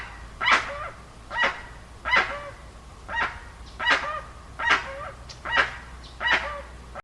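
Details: Dusky-legged guan uttering slower, spaced honking calls, about eight harsh nasal notes in seven seconds, each a short rough bark with a slight trailing tone.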